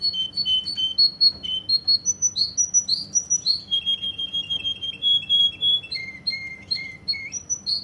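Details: Russian canary singing in Kuwait: a loud, continuous flow of sweet whistled notes, rising chirps, a long rolling trill on one pitch, and repeated lower phrases, all in quick rhythm.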